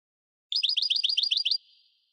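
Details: Goldfinch of the parva subspecies delivering one rapid trill of about ten evenly spaced, bright, slightly buzzy notes lasting about a second, then a faint fading hum; quiet background.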